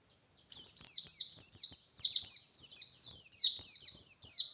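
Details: White-eye singing ngalas-style with full open beak, a competition lure for less aggressive birds, starting after a short silence into a long, busy stream of shrill, downward-sweeping chirps.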